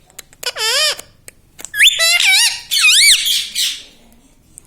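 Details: Talking pet parrot in a room saying "mummy papa", giving a short wavering phrase, a pause, then two longer burbling, up-and-down harmonic utterances close together, then fading into a soft trailing note.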